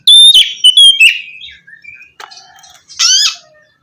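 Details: Oriental magpie-robin song for prompting a silent bird to sing: clear piercing whistles, a falling slur, faint soft notes, then a loud buzzy rising burst.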